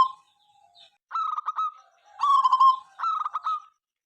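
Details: Local zebra dove (perkutut lokal), a noisy, persistent singer heard morning, noon and night, whose song is said to set rival birds calling. Three low bursts of rapid staccato cooing notes, each about half a second long, separated by brief pauses.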